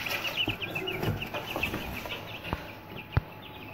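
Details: Chicks fresh from hatching in an incubator give a rapid series of high, thin peeps, a few birds overlapping, with dull thumps, two sharp clicks and a constant background hum.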